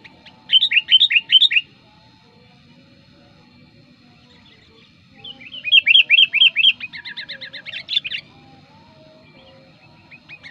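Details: Sooty-headed bulbul, locally kutilang, singing as a lure for wild birds: bursts of rapid bright chirpy notes in two short bouts separated by a few seconds of quiet.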